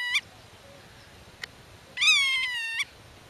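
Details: Black-tailed godwit defending its nest and territory, calling to chicks hidden in grass: a clipped short note, a faint click, then one long nasal call that slides gradually downward.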